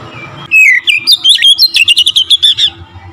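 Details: Magpie-robin song played to provoke rival singers: a loud whistled opening that breaks into a fast, even trill of about a dozen repeated bright notes lasting two seconds.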